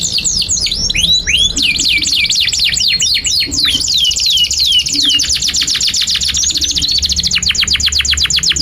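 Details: Canary song as a master recording for young canaries: a rapid series of downward-sweeping chirps gives way to fast, even rattling trills at high pitch, sustained for several seconds.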